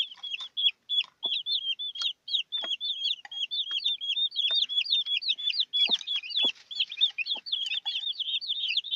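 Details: Newborn chicks with their mother hen: a dense, continuous stream of high, thin peeping calls, many chicks overlapping at about three per second, with faint low clucks from the hen between them.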